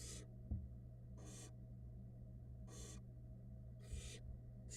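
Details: Barn owl chicks, little fluff balls fed by their mother in a Florida nest box: five harsh, noisy hisses at uneven intervals of one to one and a half seconds, with faint bumps and a low hum.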